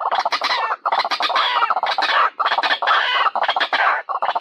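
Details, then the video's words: White-breasted waterhen lure call for attracting birds: loud, harsh, croaking notes in quick bursts with short breaks, a continuous clucking chatter. "SUARA BURUNG RUAK-RUAK PENARIK"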